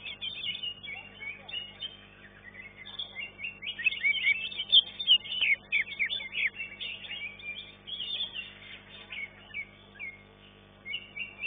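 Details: Green leafbird competing in a class 1 singing contest, placed third: dense, rapid run of high chattering and whistled notes, with swept and slurred phrases repeating quickly and pausing briefly near the end, over a steady low hum.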